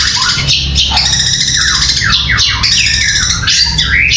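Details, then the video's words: Caged competition songbird, trained for singing contests, delivering a dense, continuous high chirping song with fast rising and falling whistled sweeps and rapid trills, with a low hum underneath. "Peaceful Bird Chirping Sounds"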